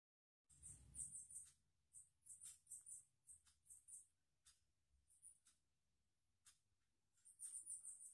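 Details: Red siskin giving very high, thin squeaky bursts in short clusters, several per second, with pauses, over faint hum, while a mother red siskin feeds her young.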